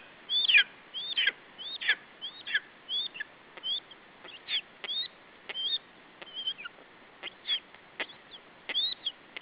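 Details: Nestling lesser spotted eagle, Estonia, guarding food against an adult at the nest in July 2012; long run of thin, sharp squeals and yelps, irregular, about ninety a minute, loudest near the start.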